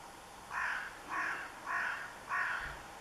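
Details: Carrion crow calling at Kerk en Zanen: four harsh, rasping caws, each about a third of a second long, spaced roughly every half second over a quiet background.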